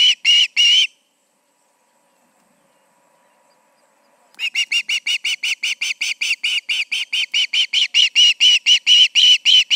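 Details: At the Charlo osprey nest, two birds together in the evening of August 20, 2019: a few piercing chirps, over three seconds of quiet, then a long run of whistled notes that speeds up and grows louder.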